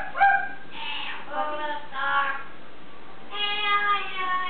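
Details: Pet Amazon parrot singing indoors with wavering, voice-like tonal phrases rich in overtones. Several drawn-out notes rise and fall, separated by brief pauses, over a steady low background hum.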